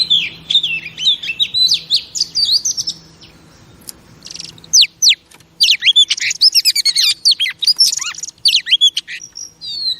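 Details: Female oriental magpie-robin song played to stimulate male pet birds: rich varied warbling of whistles and chirps, a short lull, then a dense, excited outburst of trills and notes.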